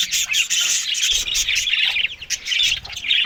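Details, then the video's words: Budgerigars eating green food in the morning: loud, scratchy chirps and squawks in dense overlapping bursts, with soft low thuds in the background. "Australian Budgies morning Eating Green Food"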